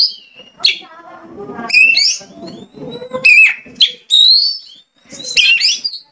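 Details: Kacer (oriental magpie-robin) song played to provoke another kacer into singing: rich, varied whistled phrases with rising and falling slurs, interspersed with softer rattling chatter and a lower murmuring background.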